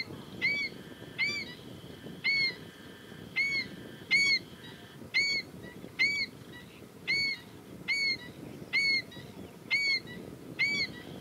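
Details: Female black-winged stilt calling: sharp, nasal, yelping notes with a hooked, bending shape, about a dozen in eleven seconds, repeated roughly once a second in an uneven run, over a low, steady background rumble.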